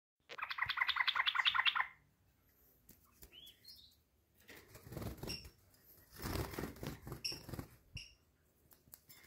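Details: A tame yellow-vented bulbul out of its cage gives a short burst of rapid, bubbling, chattering notes lasting under two seconds. Rustling and fluttering noises follow, with a few faint chirps.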